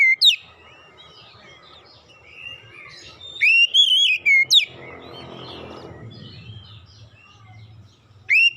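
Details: Oriental magpie-robin lure song for coaxing young birds into song: short clear whistled phrases, with a loud cluster of wavering notes in the middle, over a faint hiss and low rumble.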